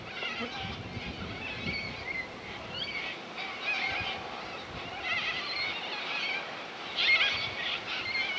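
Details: Corellas at Minkie Lagoon on Coopers Creek near Innamincka, South Australia: a flock gives harsh, screechy overlapping calls, some rising squawks, with a steady murmur of calls throughout and soft low rumbling beneath.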